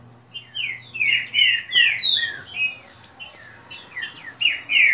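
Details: Green-winged saltators kept by their owner, competing in a quick singing dispute: dense, overlapping loud whistled notes sliding downward, several birds seeming to answer one another, over a low constant electrical hum.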